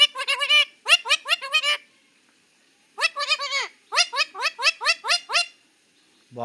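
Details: Talking pet parrot in a heated quarrel, giving bursts of harsh, nasal, voice-like syllables in quick runs of four to seven, with a short pause between bursts and a silent gap near the middle.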